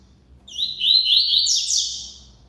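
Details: Loud song phrase from a double-collared seedeater, a quick run of high, trilled whistles ending in brighter rasping notes that rise and fall, with faint low background hum.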